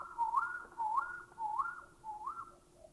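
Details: Thai bay owl call: four upslurred whistled notes, each starting low and climbing to a brief higher hold, spaced about half a second apart and gradually weakening.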